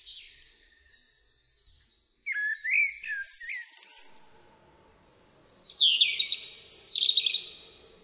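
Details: Common Blackbird, a male, singing in a Polish forest in spring after the birds return: a short, mellow fluting phrase, then a second burst of high, scratchy twittering a few seconds later, over a faint low hum.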